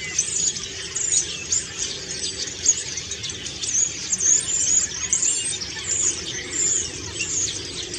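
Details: A preening common starling in autumn song, with high thin whistled notes repeated among busy scratchy chatter and clicks.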